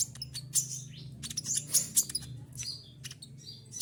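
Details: Caged olive-backed sunbird in moult, feathers falling out, still singing persistently; dense bursts of sharp, high, piercing chirps and rapid 'shooting' notes, loud peaks near one and two seconds, with low steady hum underneath.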